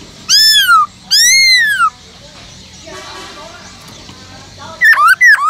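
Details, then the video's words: Two long, loud arched whistles from a captive Black-throated Laughingthrush in forest-voice song, a muffled low murmur in between, then two sharp clipped notes. "Khướu bạc má kích trống căng lửa HÓT GIỌNG RỪNG"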